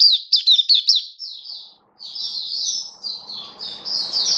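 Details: Caged Oriental white-eye, 27 October 2022, gives a burst of quick, bright, high chirps, then softer, drawn-out thin notes continue after a brief gap while a low background rumble rises.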